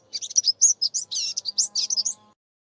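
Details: Greater Double-collared Sunbird, a garden bird of the Eastern Cape, South Africa: a quick burst of high, thin chips and twitters, about a dozen notes tumbling in two seconds, over a faint low hum.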